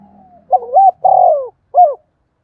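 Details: Spotted dove cooing, a lure call used to excite decoy birds: a low hollow coo phrase of three mellow notes, the middle one longest and gently falling, followed by a short final coo in a quiet background.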